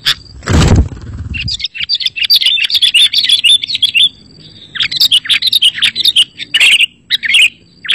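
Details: Sooty-headed bulbul singing as a lure for other bulbuls: a brief thump at the start, then dense runs of bright, bubbly chirps and warbled phrases that carry on almost without pause.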